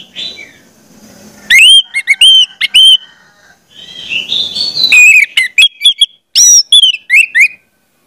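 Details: Song of an orange-headed thrush for training young birds: sequences of clear, looping whistled notes repeated in quick rhythm, with a buzzy chattering stretch in the middle.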